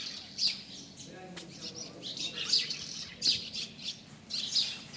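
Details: Bird giving bright, high-pitched chirps in brief bursts spaced roughly a second apart, with quieter twittering between them and faint low background noise.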